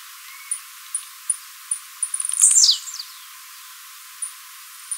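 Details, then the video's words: Captive Blue-black Grassquit singing, played for song training: very high, thin ticks about every half second, then a quick stutter leading into a sharp, buzzy, down-slurred burst; no other sounds. "TIZIU MATEIRO CANTANDO"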